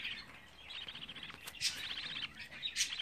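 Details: Budgerigar chicks at 24 days murmuring in soft, buzzy chatter that swells into a few louder, harsher squeaks.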